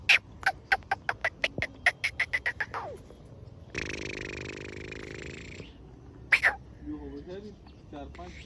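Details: Black francolin (kala teetar) in a lively mood calling with a rapid accelerating series of sharp, harsh notes, then a sustained buzzy grating sound of about two seconds, then a few more sharp notes and softer chirps.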